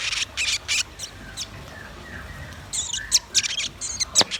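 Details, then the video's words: Lively song of red-billed nuthatch and white-rumped shama: clusters of very high, sharp chirps at the start and end, with a quiet stretch between. "Suara kicau burung rambatan paruh merah dan murai batu gacor"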